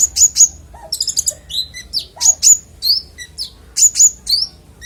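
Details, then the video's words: Clear-voiced konin song, used as master audio for songbirds: loud, high whistled notes and downslurs in short clusters, mixed with brief chattering bursts and occasional lower squeaky notes. "Konin bongkar isian suara jernih"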